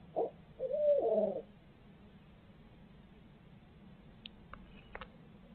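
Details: At a Midtown Tulsa nest where both parents share the brooding, a barred owl gives a short hoot and then a wavering, quavering note lasting almost a second, followed by faint clicks over a low background hum.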